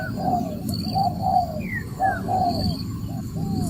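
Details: Spotted dove lure call used for trapping: soft, low coo phrases rising and falling, a short note then a longer drawn coo, heard over a steady low rumbling background.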